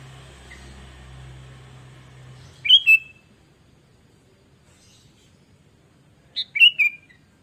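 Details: Sooty-headed bulbul in lively song, recorded as a lure for training other bulbuls: low mechanical hum at first, then two short clear whistled phrases several seconds apart in otherwise quiet surroundings.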